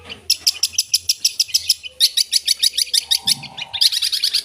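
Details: Cendet, or long-tailed shrike, singing busily with fill phrases: evenly spaced sharp high chips about four per second in three runs, with a faint low whistle and brief low buzz between them.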